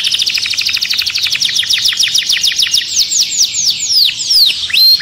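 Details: Caged canary, agitated, singing a fast song: rapid repeated high notes running into descending slurred whistles, then rising sweeps near the end.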